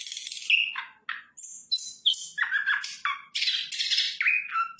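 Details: Sikatan londo flycatcher in full song, delivering a rapid, varied run of buzzy, scratchy notes mixed with descending whistles, the phrases nearly continuous with only short gaps.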